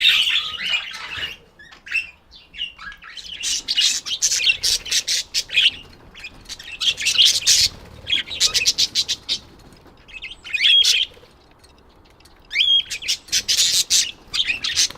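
Budgerigars chatter in quick, scratchy bursts of high chirps and squeaks, with a few brief pauses and clearer whistled notes near the end.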